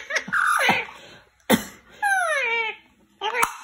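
A rose-ringed parakeet gives three short bursts of voice-like talking: raspy, laugh-like syllables with sharp clicks and one drawn-out falling tone, in a small room.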